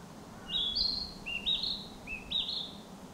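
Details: Forest-dwelling narcissus flycatcher in spring delivering three clear whistled phrases, each starting low and jumping upward, evenly spaced over about two seconds, with steady faint background noise.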